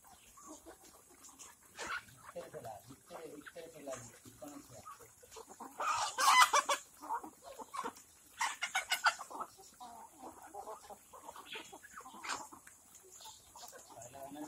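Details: Black Kadaknath chickens kept organically on a farm in Cuttack, Odisha, India, give short repeated clucks at an uneven pace, with two loud broad noisy bursts near the middle and other birds clucking around them.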